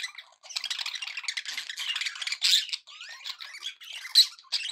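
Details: Happy budgies give a fast, rattling chatter mixed with thin whistled glides and one sharp high squeak near the end.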